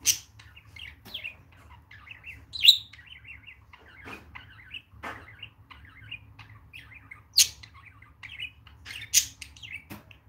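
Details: Pet budgerigars, a male and a female, a mother and her young, kept at home: soft, scratchy warbling chatter of short chirps and clicks, broken by a few sharp louder notes spaced irregularly, over a faint low hum.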